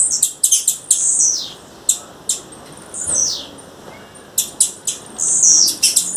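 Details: Wild female blue-black grassquit calling with rapid clicky ticks, high rasping buzzes and a falling buzzy slur, in quick irregular bursts separated by brief lulls.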